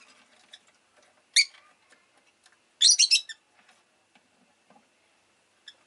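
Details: Rosy-faced lovebird giving one sharp chirp, then a rapid triple burst of shrill notes, amid faint scattered ticks.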